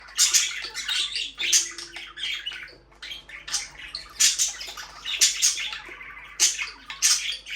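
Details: Budgerigars chirping, played for a lonely bird: lively irregular chatter of squeaky, scratchy warbles and sharp high chirps in quick bursts, with a faint steady hum underneath.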